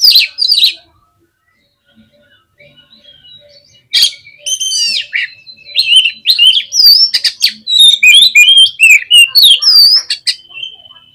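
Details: Kacer, or oriental magpie-robin, singing hard as a lure to stir up rival birds. A brief burst opens, then a pause, then loud, rapid, varied whistles, slurs and sharp chirps rising and falling without break.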